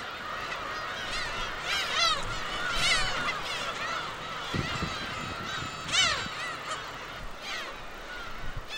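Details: Black-tailed Gulls arriving in spring on Gyeokryeolbiyeoldo, a remote island 55 km off Taean, South Korea, to breed; many birds call together in a dense chorus of overlapping nasal, laughing cries with repeated downslurred notes and constant background noise.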